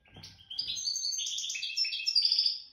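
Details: Goldfinch of the jadr al-salaka line, raised from the nest, in widani song: a continuous rush of rapid liquid twitters and trills ending in a thin, sustained ringing trill.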